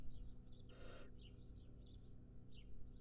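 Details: A single short, breathy hiss from a wild barn owl nestling breaks through steady high twittering of small birds.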